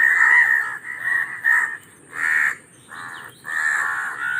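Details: Raven uttering drawn-out, rasping caws, each lasting about half a second, with brief pauses between them.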